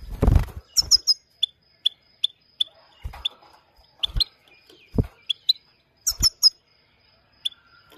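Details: Himalayan goldfinch, known locally as Maike, giving short high chirps in scattered bursts, some paired, over about eight seconds, with a faint steady high tone and dull low thumps and knocks in between.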